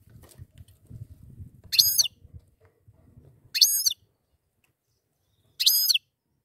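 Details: Goldfinch pair: three loud, bright, slightly falling notes about two seconds apart. Soft low rumbling at the start, then quiet.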